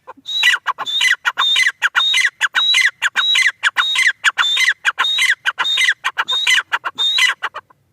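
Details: Francolin call series: loud rasping rhythmic phrases, each with a sharp whistled note, delivered without pause for nearly eight seconds at an even pace of roughly two phrases per second.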